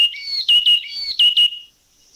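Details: Yellow-cheeked tit giving high, clear whistled notes broken by short, harsh, loud bursts, in two quick phrases over about two seconds against a quiet background; recorded in a Thai national park.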